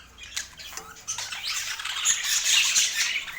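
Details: Budgies feeding on healthy food give a busy flock chatter, starting with a few sharp ticks, then building into a loud, scratchy, high twittering wash in the second half.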